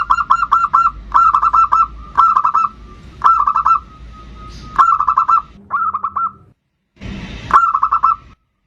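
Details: Zebra dove in bodronoyo style, singing to lure other birds into song: repeated phrases of four or five quick, mellow cooing notes about once a second, with a low hum and brief clicks between.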